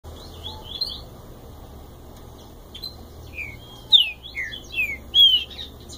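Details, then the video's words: Green-winged saltator common song: rich, clear whistled notes, some sliding down, in short bursts near the start and a fuller phrase later, over a low background hum. "TRINCA FERRO MATEIRO"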